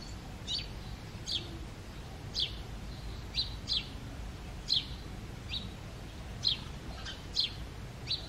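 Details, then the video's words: Male house sparrow chirping loudly in the breeding season: single sharp, high chirps, often in quick pairs, repeated about every half second to second over a low steady background rumble. "An Undisputed Songbird - The Sparrow Calling"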